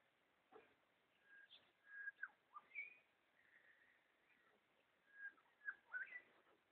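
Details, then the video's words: Red wattlebird, tentatively identified, recorded 21 September 2012: a loose series of clipped whistles and harsh chirps, some rising and some falling, spaced irregularly over steady background hiss. "Maybe the Red Wattlebird"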